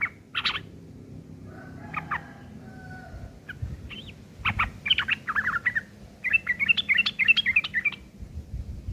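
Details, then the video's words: Harsh chattering from a yellow-vented bulbul, the ngeriwik kasar style used to train long-tailed shrikes; sparse scattered chirps at first, then building into quick runs of scratchy twittering notes toward the end. "trucuk ngeriwik kasar isian burung CENDET"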